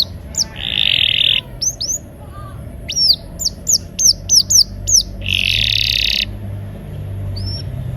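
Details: Canary singing a lively rolling song meant to prompt silent canaries into singing: quick downslurred whistled notes in bursts, broken by two harsh buzzy trilled stretches.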